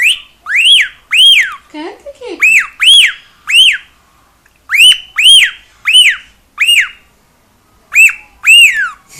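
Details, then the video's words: Noisy pet cockatiel at home giving loud, arched whistled calls that rise sharply and fall, mostly in pairs, spaced one to two seconds apart, with one brief lower warbling sound early on. "CALOPSITA(KIKO) CANTANDO E FAZENDO BARULHO!"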